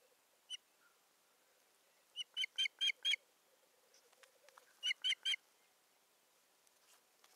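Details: Nest-camera recording of an osprey in Satakunta, Finland, 7 May 2019, as a stick is delivered to the nest; a lone whistle, then a burst of four piercing notes and a later run of three, over quiet background.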